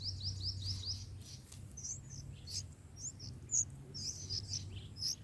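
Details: Baby bulbuls in the nest at feeding time: a quick run of five short rising chirps, then clustered high tweets and squeaks, with a steady low background hum.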